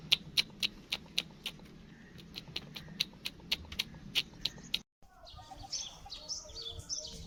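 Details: Short, high peeping from black francolin chicks repeats in an uneven series for about five seconds, then breaks off into scratchy, shuffling noise.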